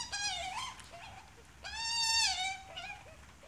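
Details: Australian magpie adult with its chick: a wavering harmonic call, a pause, then a long, loud, rising nasal call ending in a harsh flourish, followed by softer short notes.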